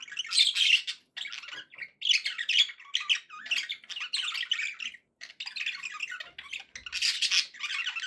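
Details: Kept budgies pour out rhythmic phrases of harsh chattering and squawky notes, each lasting about a second and separated by short gaps.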